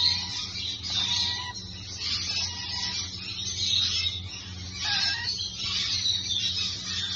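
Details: A baby rainbow lorikeet (Trichoglossus moluccanus), a pet, gives harsh, raspy, hissing screeches almost without pause, over a low steady hum.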